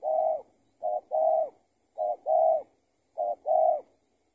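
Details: Spotted dove being trapped with a decoy, turning out to be someone's escaped tethered bird; regular phrases of a short coo followed by a drawn-out, slightly falling coo, four phrases about a second apart.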